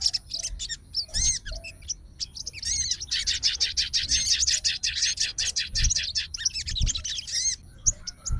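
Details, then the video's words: Fighter sooty-headed bulbul calling its opponent gives a few twisting whistles, then a long rapid stream of shrill, buzzy chatter. Soft thumps are heard in the background. "SOGON FIGHTER LANGSUNG RESPON DENGAR SUARA SOGON GACOR"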